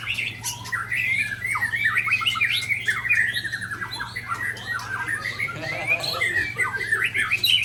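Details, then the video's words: Ujong Pancu white-rumped shama singing rare 'isian' fill: a long, continuous stream of quick, varied chattering notes and rising-falling whistles at a steady, lively pace over a low background hum. "Murai Ujong Pancu SMBF Tumpahkan Isian Langka"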